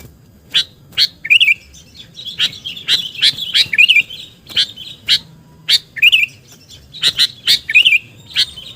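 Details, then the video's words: Lure call of a sooty-headed bulbul in full voice. Crisp chips are mixed with rapid, gurgling, warbled notes that come in bursts across the clip. "SUARA PIKAT BURUNG KUTILANG GACOR"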